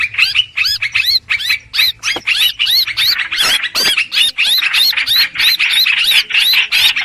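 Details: Streak-eared bulbul lure for trapping: quick, sharply upslurred chirps delivered almost three times a second in a dense, insistent series over a soft low hum.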